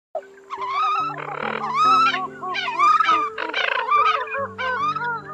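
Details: Eurasian coots on a lure recording used to attract the birds: harmonic, arched and wavering calls overlap, several callers at once, with sharper high notes, over steady sustained low tones like a musical drone.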